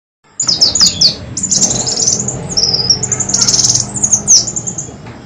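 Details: Black sunbird (kolibri wulung) lure call used to attract birds: clean, high, sharp twittering notes, some descending slurs and a brief drawn-out whistle, delivered in quick bursts with short gaps.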